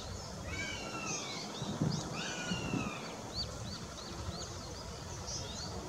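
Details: A young Northern Goshawk, delighted as food arrives, on 20 June 2016, gives long, thin, descending whistled wails and quick high chirps over a steady low rumble of background noise.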